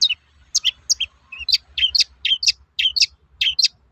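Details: Long-tailed shrike, a lively singing bird giving its typical toet-toet sound, used to provoke other shrikes into singing: sharp high chirps in quick pairs and triplets, some dropping in pitch, about a dozen notes in four seconds.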